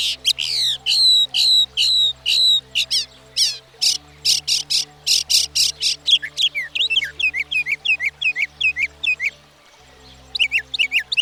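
A Northern Mockingbird sings high, varied phrases, each repeated several times at about two per second before switching to a new one, over a faint low background hum.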